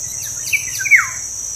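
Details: Black-naped oriole song, played to prompt kept birds to sing: a short phrase of liquid, fluty whistles sliding up and then down, ending in a rich slurred note, over a steady high cricket drone.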